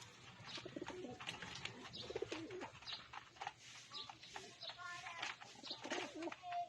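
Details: Several pigeons cooing while being fed: low, soft, rolling coos early on, with dense clicking and fluttering from pecking and wings throughout, plus scattered higher chirps.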